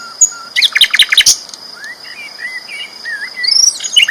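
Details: Sikatan londo flycatcher singing: a quick burst of sharp high chirps, then soft wavering whistled notes and a rising twitter, with a faint continuous high whine.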